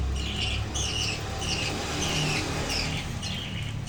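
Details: Budgerigar chick that recently left the hatching box, playing beside its parents: a string of harsh, scratchy chirps about every half second, partly masked by a loud continuous rumble like passing traffic.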